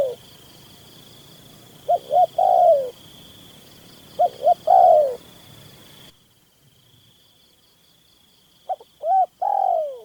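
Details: Hunting-ground recording of a Spotted Dove: two quick soft notes leading into a drawn-out descending coo, repeated three times with a brief drop-out, a constant high-pitched insect hum behind.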